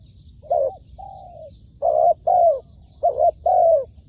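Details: Spotted dove used as a decoy in trapping: a brief coo, a long sliding coo, then three paired coo phrases spaced under a second apart, low and mellow with faint distant chirps.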